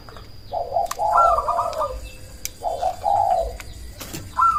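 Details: Cemani zebra dove, a loud, active caller meant to provoke rivals to respond and raise breeding drive, gives two trilled, rippling coo phrases about two seconds apart, followed by the start of a third.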